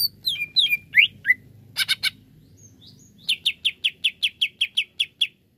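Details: Greater green leafbird, a kept songbird, giving looping slurred whistles and a brief buzzy rattle, then a steady series of about ten sharp chips roughly four per second.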